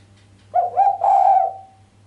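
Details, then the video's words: Sharp 'kuk'-less coo of a female island collared dove that gets the male worked up: a short pair of notes flowing into a held mid-pitched tone over a faint low hum. "Suara derkuku betina mbekur tajam tanpa kuk bikin sang jantan greget"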